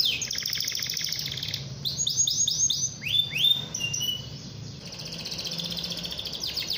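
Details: Canary singing vigorously to provoke rival canaries into singing: high rapid trills, a run of repeated upward-sweeping whistled notes, then buzzy rattling phrases and a long steady trill.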